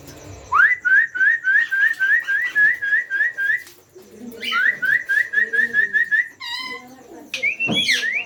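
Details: Rose-ringed parakeet chicks at feeding time, begging; rapid series of rising, squeaky whistled notes repeated several times a second in two long runs, then harsher squeals near the end.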